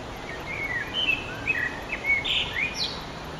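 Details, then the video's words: Eurasian blackbird singing at sunset on 9 June 2011: short whistled and warbling phrases, some rising or falling, in quick succession over a steady background hiss. "Blackbird's Song"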